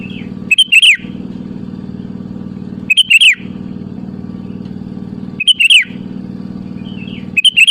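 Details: Lively sooty-headed bulbul calling a rival, played as a lure: brief rich warbled phrases about every two and a half seconds, each a quick descending flourish, with a constant low droning hum between.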